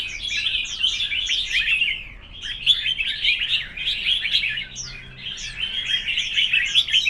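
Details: Red-whiskered bulbuls singing competitively: three long runs of bright, jumbled whistles and chirps separated by brief lulls, dense and energetic throughout.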